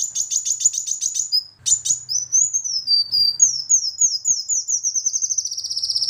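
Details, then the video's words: A sunbird, used as a lure recording to prompt reluctant singers, sings high, thin, rapid trills, then a run of quick sliding notes, all very high and sharp, with no other sounds. "Pancingan Kolibri Wulung Malas Bunyi"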